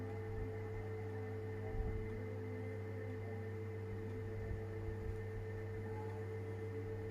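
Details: A steady mechanical hum with tonal overtones, like a motor or appliance, with a few faint knocks and no animal voice.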